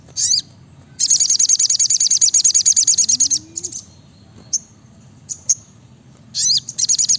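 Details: Sogok ontong, the brown-throated sunbird, singing gacor 'nembak rapat': a short high chirp, then a long fast, even trill of piercing notes lasting over two seconds, a few isolated clicks, and another rapid burst at the end.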